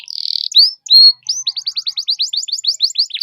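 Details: Canary lure song played to prompt other canaries to sing: a long high buzzy note, then a clear rising whistle, then a fast run of about twenty short upswept chips at a steady, rapid pace.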